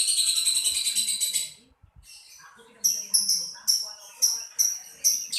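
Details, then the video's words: Lovebird gives a long buzzy, rattling screech, goes briefly quiet, then repeats clipped, piercing chirps about twice per second. "LoveBirt_Bunyi suara burung"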